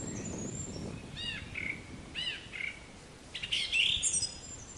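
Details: Black-capped chickadee giving two short arched notes followed by lower buzzy drawn-out notes, a pattern heard twice about a second apart, with other high chirping birds and a soft rushing background.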